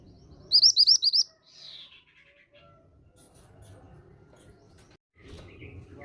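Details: Female grey bushchat calling as a lure for young males to start singing; five rapid, high, hooked chirps, then a slurred falling note and a few weaker notes, with low rumbling behind.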